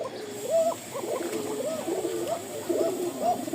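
A Kokka pigeon gives a thin, high cooing call in short, repeated rising-and-falling phrases.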